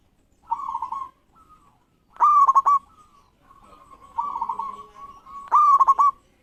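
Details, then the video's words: Local zebra dove singing keenly as a lure for rival doves. Softer coos alternate with loud stuttered phrases of rapid pulses, repeated roughly every two seconds, with faint low murmuring underneath. "Perkutut Lokal Gacor Respon Cepat Bikin Lawan Langsusung Bunyi"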